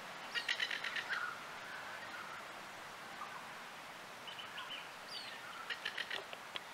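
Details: A plover at Adder Rock, with its chicks, gives quick bursts of sharp, clipped notes, clustered near the start and again toward the end, over a steady background hiss of surf or wind.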